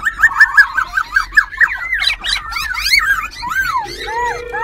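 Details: Black-throated Laughingthrush, a caged semi-tamed wild-caught bird in Tân Túc, Ho Chi Minh City, singing while displaying tail and wings. Fast series of about eight bright, repeated whistled notes, then tumbling varied slurred phrases and a steady low tone at the end.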